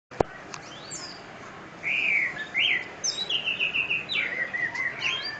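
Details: Orange-headed thrush singing: clear whistled phrases that slide and warble, some rising sharply, followed by a quick run of repeated bright notes and further varied, slurred whistles.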